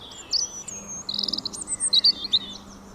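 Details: One bird's varied calls: a high whistled note, a fast stuttering buzz, then a string of loud, clipped high chirps in uneven rhythm over a steady low hum.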